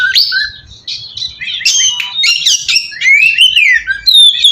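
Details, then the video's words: Song of an oriental magpie-robin used to lure others of its kind: scratchy chattering notes followed by long clear whistles sliding up and then down, ending in a high thin note. "suara pacingan burung kacer ampuh!! buat mancing kacer bahan dijamin langsung nyaut"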